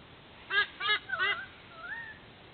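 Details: At a Sydney nest at dawn on 13 October 2024, a white-bellied sea eagle gives three clipped, nasal honks. A soft whistled note that rises and then falls follows them.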